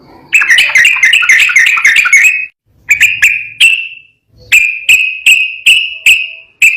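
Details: Yellow-vented bulbul in gacor ropel garuda song: a fast chattering run of liquid notes, a pause, three clipped phrases, then five evenly spaced bright whistled phrases, each with a sharp click at the start.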